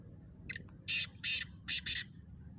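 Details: Short black francolin phrase from a kala teetar contest: a soft opening note followed by four loud, buzzy, rasping notes, the final two paired close together.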